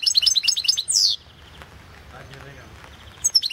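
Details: European goldfinch singing in a 2016 world goldfinch song championship entry: quick run of bright, liquid chirps repeated several times a second, then a loud buzzy descending note, followed by quiet and a final chirp.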